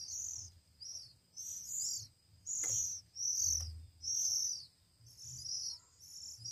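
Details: Oriental magpie-robin nestlings aged one week, fed by hand, give high, harsh begging squeals in bursts about once a second, with a faint low hum behind.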